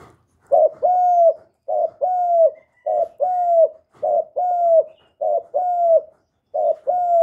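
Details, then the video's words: Young male spotted dove, kept bird, calling loudly with a steady series of two-part phrases, a quick broken note before a drawn-out level coo, about six phrases in seven seconds, no other sounds. "Tiếng chim cu đất gáy lớn tiếng, cu gáy thúc, cu gáy gọi, cu trống tơ gáy to, cu cườm gáy,cu đất gáy"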